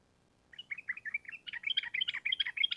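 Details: Sooty-headed bulbul in lively long rapid-fire song, used as a lure to prompt caged birds to answer. Silence, then a run of bubbly, chattering notes that grows louder and denser, about twelve phrases over two seconds.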